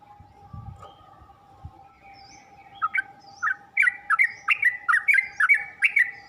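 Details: Yellow-vented bulbul song used as a training recording to teach birds to sing: after a quiet start with a steady hum, a lively string of bright, bubbly whistled notes builds and repeats rapidly.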